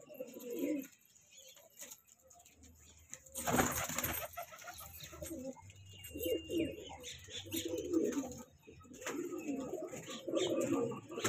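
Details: A young breeding pair of kanta kash pigeons coo in low throaty phrases, interrupted by a loud burst of wing flapping, then more cooing bouts over a low hum.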